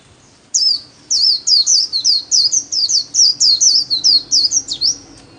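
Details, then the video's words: Caged-style pet white-eye performing 'líu' song in daily practice: following a short opening note, some seventeen quick, high-pitched, down-curving whistles run in a fast, even sequence for about four seconds. "KHUYÊN LÍU SOLO RẤT HAY - LUYỆN KHUYÊN LÍU MỖI NGÀY"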